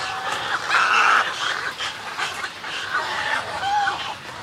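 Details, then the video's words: Snowy egrets in a colony, close up, giving greeting and colony calls: a loud drawn-out hoarse squawk near the start, then rougher croaks and a short nasal note toward the end. "Snowy Egret. MCU-CU Colony Calls And Greeting Calls"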